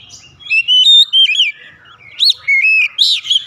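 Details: Rich, melodious Oriental magpie-robin song of sweet whistled phrases, loud and close, with quick rising and falling notes grouped in short bursts separated by brief pauses.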